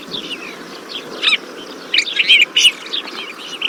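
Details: Desert Finch giving short, bright chirps in scattered bursts, a few tight clusters near the end, over a steady low hiss of background noise.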